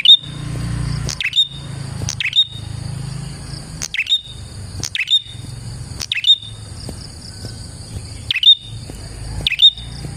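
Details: Prinia song for attracting prinias: clipped snaps, each followed by a brief high whistle, repeated irregularly every one to two seconds above a continuous shrill drone and low background hum.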